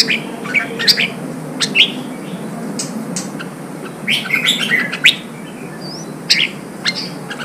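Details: Red-whiskered bulbul, a wild-caught bird being trained for contest singing, calls in short bright chirps and whistled phrases spaced irregularly, with a denser burst of notes midway, against a steady low hum.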